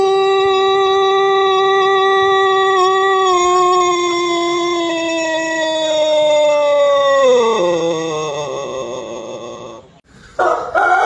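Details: Pelung chicken of Cianjur, West Java, Indonesia, known for its long, musical crow: a very long sustained tone lasting about seven seconds with a gentle downward drift, then a sharper drop and fading tail, ending in brief noise.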